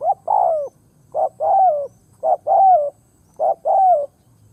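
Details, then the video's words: Spotted dove used as a ground decoy, calling to lure wild doves. Four steady phrases roughly every 1.1 seconds, each a short note then a longer mellow coo sliding downward, with little else audible. "Tiếng Chim cu mồi đất gáy kích bổi nhanh nổi"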